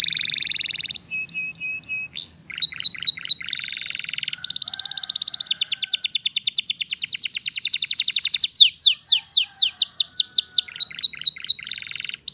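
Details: Canary singing in the wild: a long, varied high song of bright repeated notes, clear whistled phrases, rapid buzzy trills and runs of quick down-slurred notes, changing pattern every second or two.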